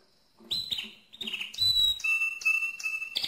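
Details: Mosaic canary song in short bursts: sharp chirps, a clear high whistle, then a series of steady whistled tones with harmonics, each held about half a second.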